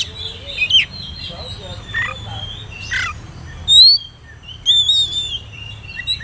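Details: Oriental magpie-robin whistling, played as a lure so young birds join in singing; scattered thin high whistles and short slurred notes with brief harsh bursts between quiet gaps, steady low background hum.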